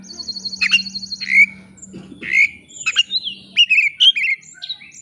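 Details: Singing white-rumped shama, recorded as a lure to make another bird answer a rival: sharp downslurred whistles and harsh squawks in separate bursts, with a steady low hum in the first half.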